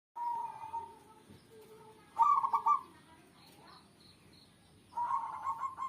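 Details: Zebra dove cooing in short bursty phrases: a rolling coo near the start, a louder stuttered phrase at two seconds and another at five, with faint background hiss between.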